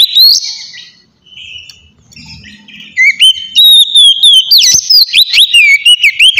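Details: Relaxed song of a white-rumped shama, played to lure wild shamas; a rising whistle opens, then a quiet gap with faint rustling, followed by a dense run of loud, wavering whistles and high twittering notes.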